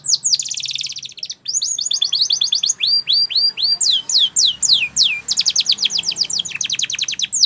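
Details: Spanish Timbrado canary training song for young canaries: a dense run of bright, high, downward-sweeping notes in fast series. Short rattling trills break into the run, and it carries on almost without pause.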